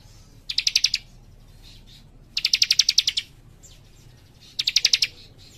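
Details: Actively singing young warbler giving three rapid, evenly pulsed high trills about two seconds apart, the middle one longest, with faint thin notes between and a low hum underneath.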